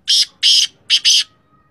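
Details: A Sindhi black francolin gives a loud, harsh call of four raspy, broadband bursts, two longer notes followed by a quick doubled pair, all within about a second.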